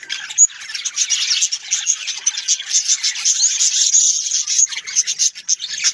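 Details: Australian parrots, named as budgerigars, produce a steady wash of high, scratchy warbling chatter. A single sharp chirp stands out near the start.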